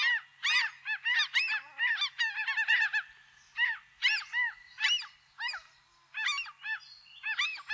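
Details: Seagulls give bursts of harsh, arching cries in quick clusters, then sparser single calls with short gaps, over a quiet background.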